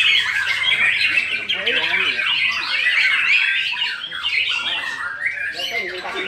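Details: Several white-rumped shamas at a songbird singing competition in Karawang, Indonesia, sing at once in a dense, overlapping tangle of loud high whistles, rapid trills and harsh chattering notes, with people talking underneath.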